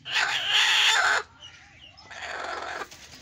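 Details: Angry golden hen giving two harsh, noisy squawking bursts, the first about one second long and loud, the second softer, with a short quiet gap between them.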